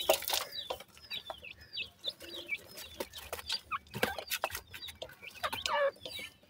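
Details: Chicks of francolin feeding in the evening give wavering high cheeps and slurred chirps in quick irregular series, mixed with clattering, pecking and rustling sounds.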